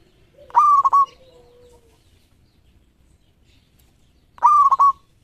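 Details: Local zebra dove, a champion singer used for luring, gives two clear stuttered coo phrases roughly four seconds apart: a short held tone broken into rapid choppy pulses, with a quieter low drawn-out note trailing the first.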